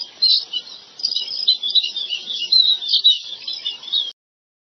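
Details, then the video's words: Chestnut munias calling from a rice field: a busy run of high, thin chirps and squeaks, loud at first, then steady twittering that stops abruptly into silence near the end. "CHESTNUT MUNIA BIRD SOUND"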